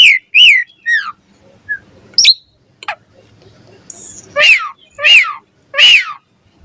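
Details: Asian pied starling morning song used as a lure for starlings: loud slurred whistles and bent, downward-sweeping notes in two bursts separated by a quieter pause with faint background sounds.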